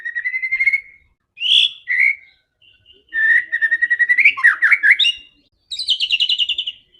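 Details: White-rumped shama in fighting mood, singing to provoke others: clear sliding whistles, a run of quick repeated notes with twisting flourishes, then a high fast trill.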